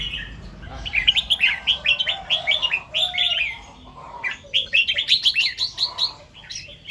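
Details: Red-whiskered bulbul singing in the morning, in the double 2-3 and 'rik' song styles: two bursts of quick, bright warbled notes, each around a second and a half long, separated by a short pause.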